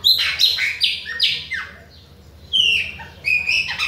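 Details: Bahia-type Chopi blackbird singing nonstop at its neighbours: a quick run of descending whistled slurs, a pause, then long level whistles and bright rising notes.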